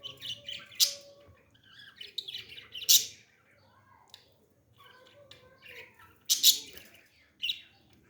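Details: Baby parrot during feeding: raspy, squawking bursts in bunches separated by quieter gaps, with softer rough chatter in between.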